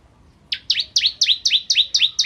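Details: Energetic bar-winged prinia (ciblek kristal) song for tutoring white-rumped shamas: after a brief hush, a quick string of eight bright, high two-part chirps, each dropping in pitch.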